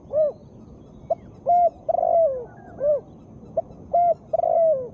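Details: Calling female spotted dove, played to coax reluctant males to respond: rounded arched hoots alternating with brief clicks, flat coos and longer rolling descending coos, the phrase repeated twice.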